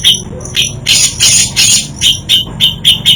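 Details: Grey-cheeked bulbul (cucak jenggot) singing isian, varied fill-in song: harsh broadband bursts alternating with short high whistled notes, about four per second, over a low steady hum.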